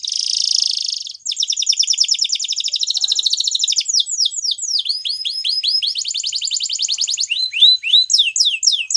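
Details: Waterslager canary song: a dense high buzzing roll opens, followed by long rapid rattling trills, then series of falling whistled notes and a final fast trill.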